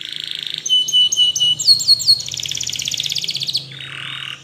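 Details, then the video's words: Spanish Timbrado canary song for training canaries: a buzzy roll, a steady whistled tone with short repeated notes, a fast bright metallic trill, then a lower buzzing phrase. "SPANISH TIMBRADO Canaries Invites All Canaries to Sing!! Canary training"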